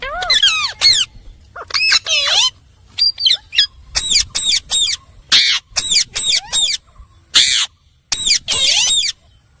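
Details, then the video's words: A talking parrot, tagged as an Indian ringneck, chatters in shrill, nasal, word-like bursts with swooping pitch, about a dozen quick phrases separated by brief pauses; nothing else intrudes. "Parrot Talking"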